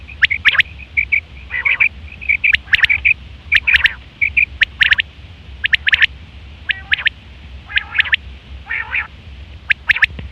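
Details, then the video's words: Quail calling in September 2023, a call used for hunting and mating: sharp, clipped notes in quick groups of two or three, repeated irregularly, with short rattling trills between, over a low steady hum. "Quail fresh sound sep 2023/ batair ki awaz"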